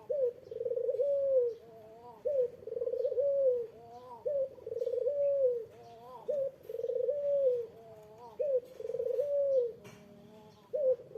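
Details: Eurasian collared dove calling to provoke a rival's reply: a steady run of deep, hollow coos, each a long level note with a short rising hiccup between, repeated roughly every two seconds over faint background hum.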